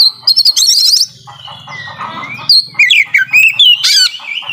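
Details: Oriental magpie-robin singing to coax reluctant birds: rapid chattering trills, then sweeping whistles and sharp slurred notes over a low hum.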